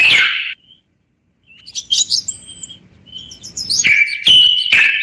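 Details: Common bulbul, the Moroccan bulbul, singing: a burst of high chirps, a pause, then scattered thin notes and a closing run of loud bright chirped phrases.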